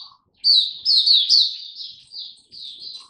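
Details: Oriental white-eye kept as a caged song bird in song display, delivering a fast series of high sweet chirping notes that tail off into softer twitters.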